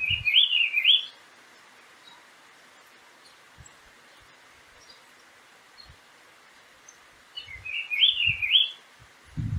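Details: A wild Green-winged Saltator in Prados, Minas Gerais, Brazil, drawn in by playback of the species' song, sings two rich, warbled whistled phrases about seven seconds apart, each about a second long, over a steady hiss with a few low thumps.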